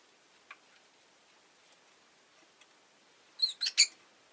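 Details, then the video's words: Pet Rosy-faced lovebird, mostly quiet over a faint hiss, then three rapid, shrill chirps in quick succession near the end. "Lovebird Chirping Sounds"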